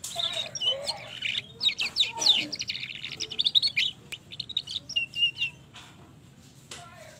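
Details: Canary in the trotol stage rolling a long song that serves as a lure for other canaries, a dense run of high trilled notes and twittering rolls that fades into softer scattered chirps.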